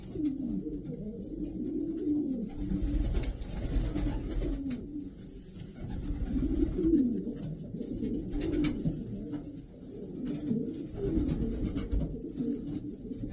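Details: Imported racing pigeons of the Davy Van Roy line, a loft of twelve birds kept in Pakistan, cooing: low, rolling, rising-and-falling coos repeated in overlapping bouts, several birds at once, with soft rustling and faint clicks in between.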